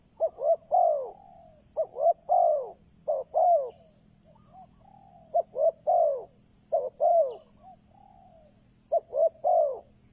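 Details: Spotted dove used as a decoy to lure wild doves, repeating three-note coos with occasional soft single notes between phrases, steady over ten seconds, accompanied by a continuous high insect-like buzz.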